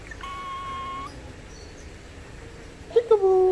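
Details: Kept Indian ringneck parakeet that has learned two words, 'mikum' and 'peekaboo'. A clear, steady whistled tone is followed after a pause by a short, voice-like spoken phrase. Faint indoor background hum.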